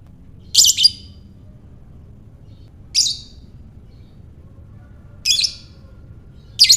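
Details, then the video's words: Piercing lovebird ngekek, used to stimulate other lovebirds: four separate harsh chattering bursts spaced about two seconds apart over a quiet low hum. "Buat Mancing Lovebird Bagus Ini | Lovebird Ngekek"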